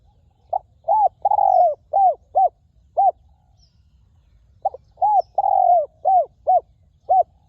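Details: A wild spotted dove with a clear, very resonant voice calls at a ground decoy: soft lead-in notes, a long wavering coo, then four short hollow hoots, the whole phrase repeated once after silence.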